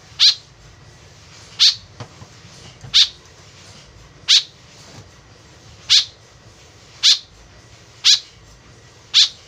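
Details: White-breasted woodswallow in full voice, call used as a lure, producing eight short, buzzy, rasping notes at uneven intervals of about one to one and a half seconds, a soft low thump between.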